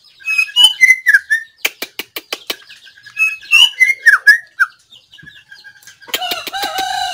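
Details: Recorded 17 April 2024, a white-rumped shama gives two clear phrases of whistled, swooping notes, each followed by a series of sharp clicks, then ends with a harsher, noisier burst.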